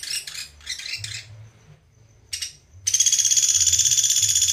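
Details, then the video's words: Pelatuk beras, the Sunda pygmy woodpecker, in a master recording for songbird training: several choppy, pulsed buzzy bursts, a short gap, one brief rasp, then a steady, fast, high pulsed trill. "PELATUK BERAS / SAMPIT GACOR TEMBAKAN RAPET JEDA JERNIH"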